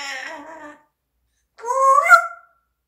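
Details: Parrot making a soft, fading harmonic cry. A pause follows, then a louder call that climbs in pitch and swells before it trails off.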